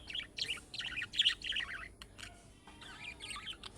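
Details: Budgerigar giving chick-style calls to draw a response from other budgerigars: busy scratchy warbling chirps, loudest in the first half, then softer chatter.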